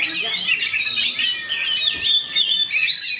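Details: Brief burst from a caged fighter white-rumped shama: quick rolling chatter of sliding whistles and chirps, loud and unbroken.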